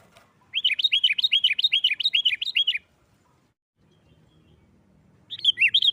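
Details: Sooty-headed bulbul with a noisy, combative song for stirring other bulbuls to sing: a long, brisk series of looping high-low chirped notes for over two seconds, silence, then the phrase starting again.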